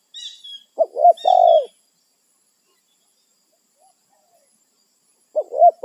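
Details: Spotted dove in the wild, territorial, calling to its companions: a two-note then a longer coo, a pause, then another phrase beginning; faint thin bird whistles early on.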